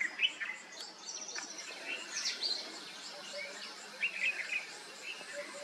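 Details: A family of sunbirds trades thin, high chips and short twittering notes in irregular bursts, with a faint hiss of background noise underneath.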